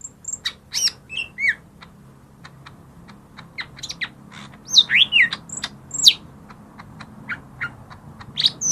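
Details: Lesser green leafbird song used as a lure to prompt quiet birds to sing: scattered sharp chirps, swooping whistles and high thin notes, irregular and varied, with faint low background hum.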